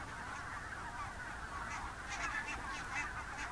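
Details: Mixed wild geese, Barnacle, Greylag and White-fronted, flying out in the morning from IJsselmeer shallows after roosting toward nearby feeding fields near Gaast, Netherlands, October; busy chorus of honks with some sharper yelps standing out.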